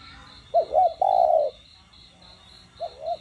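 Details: Spotted dove cooing, played to stimulate captive doves to call: a short two-part hooting coo, a pause, then a longer sustained coo, with a fainter coo near the end; steady faint insect-like buzzing runs underneath.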